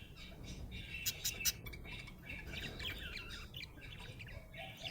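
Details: Budgerigar in a happy mood gives a run of sharp clicky chirps, then flows into continuous scratchy warbling chatter over faint low rumble.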